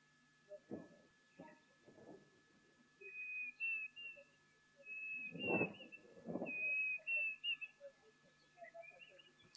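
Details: A Diederik cuckoo calls in the background at a waterhole with many elephants on 11 November 2023: a steady run of clear, high whistled dee-dee-dee-deric notes, with a man talking over it and a faint hum.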